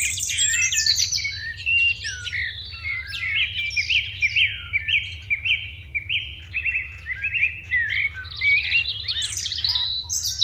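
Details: Morning sparrows keep up a dense, unbroken chirping chorus: countless short, bright, overlapping chirps in loud waves over ten seconds, backed by a faint low hum.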